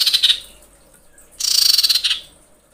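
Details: Female common iora in breeding condition, calling to attract males: two harsh, rapidly pulsed screeching bursts, the second longer at about 0.8 seconds, separated by a short quiet gap.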